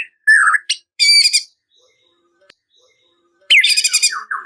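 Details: Singing white-rumped shama, used to provoke rival birds: short loud harsh bursts and a downslurred whistle, a pause of about two seconds, then a burst of rich, noisy chattering notes.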